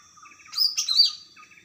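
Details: Greater green leafbird, wild, singing energetically: two or three loud bright notes, some sharply rising and falling, packed into under a second, with soft repeated chirps before and after.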